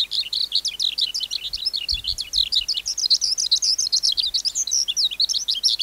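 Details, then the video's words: Wild-caught skylark pouring out a rapid, bubbling high-pitched warble of chirps and trills, with a few faint low thumps in the background. "Sơn Ca Bổi Hót Giọng Cực Hay"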